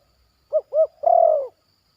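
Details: Zebra dove, a young bird in training, singing in a yard with its batuk and poin song parts: two short arched cooing notes followed by one longer, rolling, slightly falling coo. Otherwise quiet.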